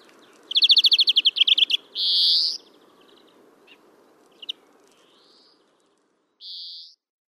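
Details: European greenfinch (Chloris chloris) singing at Kholm, Novgorod oblast, Russia, in April 2015: a fast trill of about a dozen repeated notes, then a harsh buzzy wheeze, a few soft chips, and a second drawn-out buzz, over low background rumble.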